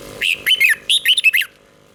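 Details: Close, loud red-whiskered bulbul song from Thailand, southern master style, used to excite caged birds: two tight phrases of clear, rollicking whistles, each note bending down then up, within under two seconds.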